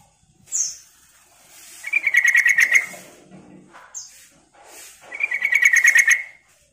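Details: Bulbul lure call, sooty-headed species: a short high squeak, then two loud rapid chattering bursts of buzzy repeated notes about three seconds apart, with soft rustling in between.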